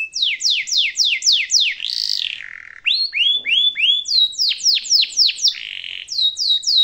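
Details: Canary master song for young canaries to learn, with long rolling phrases and ornate variations: rapid series of high descending whistled sweeps repeated about four per second, switching between several tours and a brief buzzy note, no background noise.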